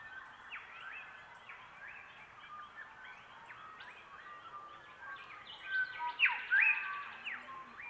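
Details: About half a dozen shrike-thrushes in hearing range all sing the same new song phrase in a fading dawn chorus in cool morning air, with faint distant phrases, then a nearer bird gives clear, rich whistled notes sweeping up and down.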